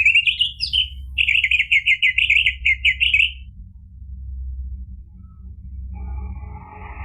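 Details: Orange-headed thrush song used to provoke another bird into singing: a lively warbled phrase of rapid rippling high notes for about three seconds, followed by quiet with faint distant chirps over a low steady hum.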